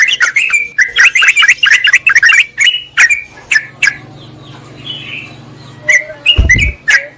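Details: Sooty-headed bulbul lure recording used to call a rival and attract wild birds in forest or gardens: short sharp chirps and bubbly notes in quick irregular bursts, then sparser notes with a faint low hum and one thump.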